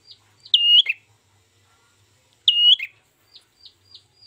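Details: Ashy tailorbird recorded as a trapping lure: two loud, high whistled notes about two seconds apart, each a flat sharp tone ending in a lower buzzy flick, followed by faint soft chips.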